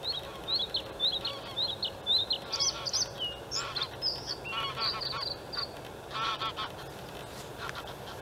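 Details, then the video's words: Male white-spotted Bluethroat in reeds at the Halmstad harbour landfill, May 2017, opening with quick repeated high notes, then breaking into a varied, harsher jumble of buzzy and rattling phrases with uneven rhythm over constant low background noise. "Blåhake/Luscinia svecica cyanecula/Bluethroat"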